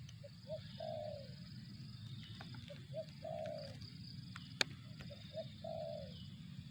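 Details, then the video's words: Spotted dove cooing in three regular phrases, each two or three short hoots leading into a long, slightly falling purr; a sharp click sounds midway, with constant low hum and high drone. "suara burung tekukur"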